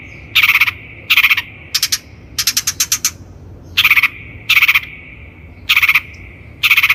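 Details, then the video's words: Long-tailed shrike, recorded as a lure for training birds, giving coarse rasping notes about every three-quarters of a second, with a rapid chattering burst of clipped buzzy notes in between. "PANCINGAN CENDET GACOR COCOK BUAT CENDET BAHAN | THE LONG - TAILED SHRIKE SOUND"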